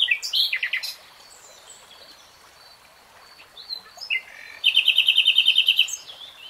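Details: Common nightingale: a burst of loud chattering notes, a quiet gap with soft distant calls, then a steady, rapid trill of repeated notes held for over a second, over faint running water.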